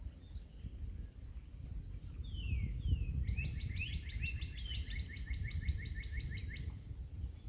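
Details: Northern Cardinal singing in competition with another on an April 19 morning: two clear down-slurred whistles, then a fast even series of short repeated chips lasting about three seconds, with low rumble behind.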